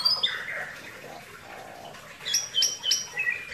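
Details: Bali myna song: a scratchy, low-key opening, then a burst of bright, high, clipped whistles repeated quickly near the end.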